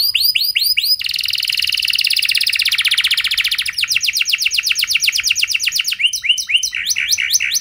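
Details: Canary lure song, rich in variations with long sustained phrases, to prompt other canaries to sing. Brief sweeping notes give way to a long dense buzzy trill, then repeated rising-and-falling slurs and choppy, clipped notes.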